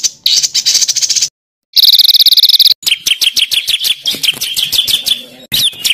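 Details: Songbird master material for teaching contest birds rough rolling phrases: buzzy high trills, a pause, a sharp pulsed trill, then a run of quick downslurred chips.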